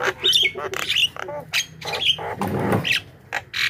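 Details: Javan myna lure recording for calling wild birds: loud, harsh, grating squawks and chattering bursts with short gaps, one noisy rasping burst in the middle, over a faint low hum.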